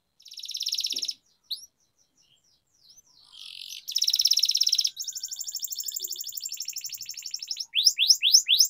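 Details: Canary training song with separated buzzy trills, a long rolling rattle of pulses and a few final rising sweeps, with quiet gaps between phrases.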